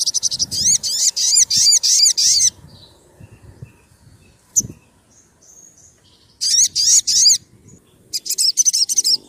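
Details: Sunbird (sogon), used as a master recording to lure birds and as therapy for birds that stop singing: rapid bursts of sharp, very high chattering notes in fast repeated series, broken by a pause with a few thin whistles and faint low background noise.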